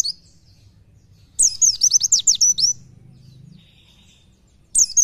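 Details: Oriental white-eye giving nembak nyepeed style song for bird training: a brief high chirp, then a fast series of sweeping, sharply rising and falling notes over about a second, with a faint low hum beneath and another chirp at the end.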